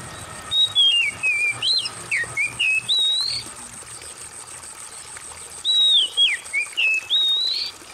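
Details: Oriental magpie-robin singing for a stress and silence therapy recording, with trickling water: two bursts of varied whistled phrases, swooping up and down, each about two seconds, separated by a pause.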